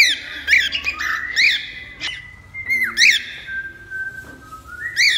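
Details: Whistling cockatiel, meant to help tame one: drawn-out level whistles broken by short bright upslurred notes and occasional squawky bursts, moderately loud over a low steady hum.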